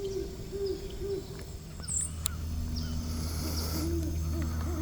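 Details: Great Horned Owls, a mated male and female perched in a tree at Bois D'Arc WMA, Hope, Arkansas, 19 November 2025. A short run of low hoots opens, then more hoots close over a steady low hum and distant bird chips.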